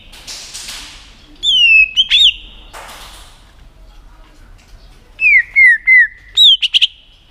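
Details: White-rumped shama, a tail-flicking bird used to make a rival shama sing, gives a few hooked whistles, then after a pause a run of several falling whistled notes and a quick final flourish.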